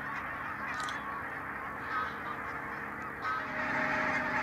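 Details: Barnacle geese in a vast flock at the Nijkerk pumping station, Netherlands; a constant din of overlapping yelping honks, with a few nearer, clearer calls standing out and the chorus rising toward the end.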